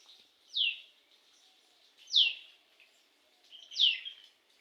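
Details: Common kingfisher perched on a neem tree, 3 June 2021 at 4:47 PM, gives three sharp, high, downslurred whistles about a second and a half apart, over faint background hiss.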